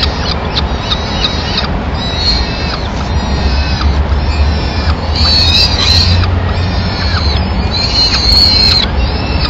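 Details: Female peregrine falcon entering a nest in Madrid on 27 April 2016, searching for leftover food for the chicks; thin high calls repeat in quick uneven bursts over a steady low rumble.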